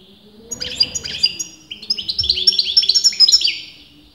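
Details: European goldfinch, a kept bird whose sex breeders dispute, in continuous song: a fast twittering run of bright, high chirps and short slurred trills, pausing briefly near the start before a denser, quicker burst; faint low hum underneath.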